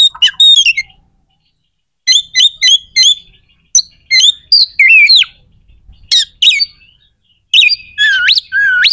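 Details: Oriental magpie-robin song used to rile up rival magpie-robins ahead of competitions; series of short, sharp, high notes in groups, a few twisting whistles, and closing rising sweeps, with near silence between phrases.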